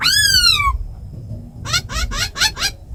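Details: Tame laughingthrushes, a female giving rasping calls and a kept bird singing a wild-style forest song, played to rouse other birds: one long descending whistle with rich overtones, a pause, then five quick rising upswept notes.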